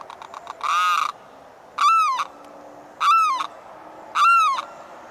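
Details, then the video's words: Limpkin calling for its mate in the morning; loud, harsh wailing cries with a rising-then-falling arch, repeated about once a second, preceded by a short run of rapid clicking notes. "Limpkin Call"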